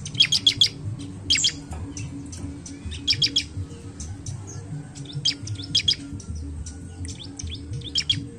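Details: Bar-winged prinia song used as a lure to make other birds sing: bursts of sharp high chirps in quick clusters of three to five notes, repeated every second or two, over a steady low hum.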